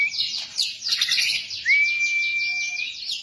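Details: Song of a white-rumped shama, used as a model for captive birds: a dense burst of high twittering notes followed by a rising slur into a long, level, pure whistle under continued fine chatter.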